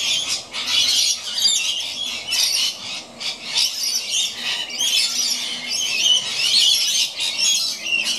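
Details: Playful rainbow lorikeets, a pair, on old rope high in a gum tree, keep up a dense stream of rasping, high-pitched squawks and squeals, broken by brief pauses around three seconds in.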